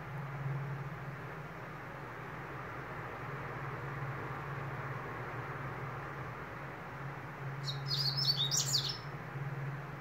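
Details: After a long quiet stretch of low humming, a double-collared seedeater gives one short burst of quick, high, buzzy twittering notes near the end.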